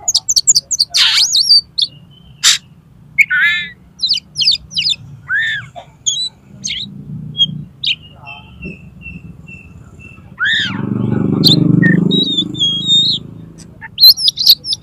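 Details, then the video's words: Oriental magpie-robin singing, a recording used as tutor song and to prompt competition birds: varied chips, warbles, downslurred whistles and a long thin level tone, with a low moaning background sound partway through. "SUARA KACER INI COCOK UNTUK MASTERAN DAN PANCINGAN KACER LOMBA AGAR MAU BUKA PARUH"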